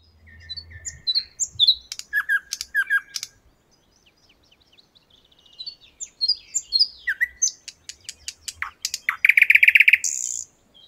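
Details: A nightingale singing in a Moscow park sings a varied run of phrases: pure whistles, quick repeated chips, sharp clicks, and a loud, harsh rattling burst at the end.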